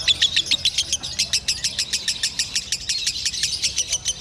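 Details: Captive lovebird in Indonesia with a prized, extreme singing style: rapid high-pitched chattering trills, about three to four notes a second, bright and even throughout.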